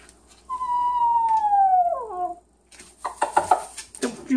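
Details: Pet yellow-naped amazon indoors during a goofy evening, giving a long clear whistle that slides slowly downward and then breaks, followed by harsh chattery noises while its owner talks to it.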